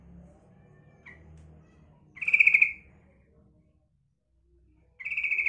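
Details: Female sooty-headed bulbul calling to draw in males: a faint short note, then a loud buzzy pulsed rattle, a quiet gap, and a second rattle starting at the end, over low background hum.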